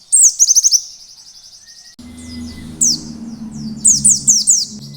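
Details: Oriental white-eye in wild-style song, meant to prompt other white-eyes to sing: a rapid series of high, sharp whistled notes, then after a short pause more twittering phrases over a steady low hum.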